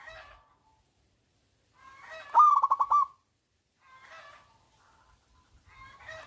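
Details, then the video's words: Loud-voiced local zebra dove singing as a lure for doves that are slow to sing; quiet rasping notes surround one strong stuttering, pulsed coo phrase, and another phrase begins at the end. "perkutut lokal gacor Suara Besar||♡ 100% SUPER MANJUR UNTUK PANCINGAN PERKUTUT Malas bunyi.!!"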